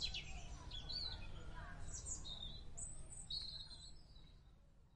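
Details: A wild bulbul gives bright, high chirps and short whistled phrases in quick bursts over a steady low rumble of background noise.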